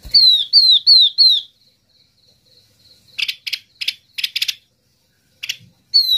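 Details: Yellow-eyed babbler lure call used to draw in the flock: four clear, high whistled notes that slide downward, given in quick succession, then a pause before bursts of sharp, clicking chip notes.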